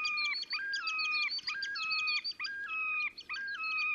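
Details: On 30 April 2019 in Oka Nature Reserve, Russia, a Terek sandpiper performs its display song: bright, repeated phrases of a low whistle stepping up to a sustained higher tone, with busy high chatter above throughout.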